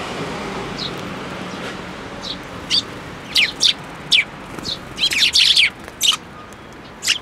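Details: Sparrows at a Tenmangu shrine on 7 May 2024, flying onto a hand to take food, give bright, short chirps. They come singly and then in quicker clusters toward the end, over steady background hiss.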